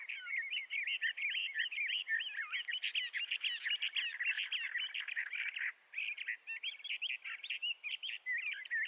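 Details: Long, run-on song of a Bendire's thrasher, western North America: a fast jumble of warbled, slurred notes delivered in near-continuous bursts, with one brief gap before the melody resumes.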